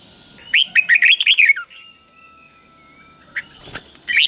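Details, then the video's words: Three-syllable doubled song of a caged Red-whiskered bulbul, the Thai counting-competition style played to train chicks; one quick run of bright slurred whistles dropping at the end, then quiet with a few faint chirps and a steady tonal hum. "เสียงนกกรงหัวจุกเบิ้ลเพลง3พยางค์ทั่วไปง่ายๆ สายนับดอกต้องหัดลูกนก"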